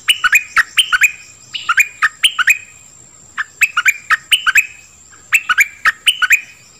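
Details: Song of the nok dok taeng bird, played to teach young birds and excite them; phrases of quick, slurred chirps come in bursts roughly every one to two seconds, with quiet gaps between.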